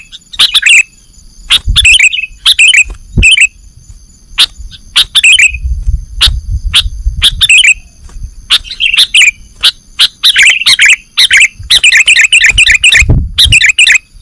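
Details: Lure recording of sooty-headed bulbul: paired chirps and short bubbly phrases spread over the stretch, ending in a dense chattering run, with low rumbling thuds in the background and a faint high hum.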